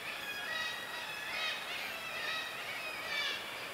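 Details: Black-legged kittiwakes, vocal breeders on the Norwegian coast in Møre and Romsdal, calling in mid-May: many nasal, wavering, harmonic calls overlap in a dense chorus, swelling and fading in repeated bursts about every second and a half.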